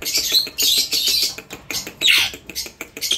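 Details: Indian ringneck parrot giving harsh, noisy squawks in short bursts, one ending in a sharp downward-sweeping screech, with faint clicking or tapping in the background.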